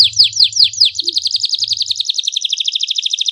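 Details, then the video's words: Canary singing clearly, used to encourage a reluctant canary: a few loud downslurred whistles followed by a long fast rolling trill of high bright notes, with a faint low hum at first. "PANCINGAN kenari SUSAH bunyi Dan MALES, DIJAMIN gacor setelah mendengar suara kenari gacor jernih"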